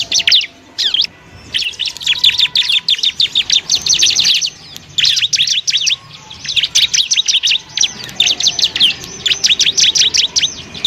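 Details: Bar-winged prinia singing as a model for other songbirds, delivering long trains of fast, needle-thin high chirps in phrases lasting one to two seconds, separated by short silences.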